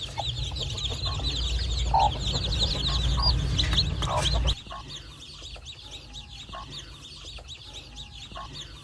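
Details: Farm chicks with their mother hen give a rapid stream of shrill peeps; a lower cluck sounds near two seconds, and a loud low hum stops halfway, leaving the peeping clearer.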